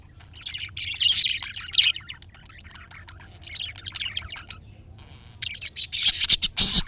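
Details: Budgerigar chatter meant to prompt a pet budgie to reply: busy, scratchy warbling twitters in two long runs, broken by a brief pause, ending in louder harsh chirps.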